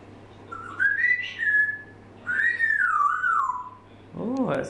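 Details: A six-month-old female African grey parrot gives two long, clear whistles, the first rising and leveling off, the second sliding down in wavering steps, then a brief voice-like sound.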